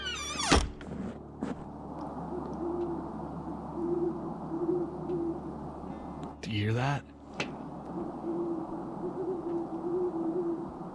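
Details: Owl hooting in the evening on wooded land around an off-grid cabin in the Minnesota woods, where a couple of different owls live: soft, low hoots in short clustered runs over steady hiss, broken once by a brief loud voice-like sound.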